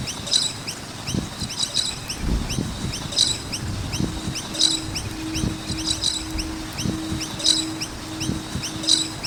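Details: Noisy miners at a skate park chirp continuously, high looping notes overlapping from several birds with regular bright bursts, while a low hum and intermittent knocking run underneath.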